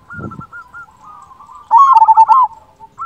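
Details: Strong-voiced local zebra dove singing. A few soft, spaced coos and a short rustle come first, followed by one loud, rapid bubbling coo phrase.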